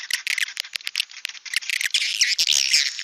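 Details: Swiftlets calling the flock, an outdoor lure sound: dense, buzzy high twittering in rapid overlapping bursts, rattling chirps packed close together with no pauses.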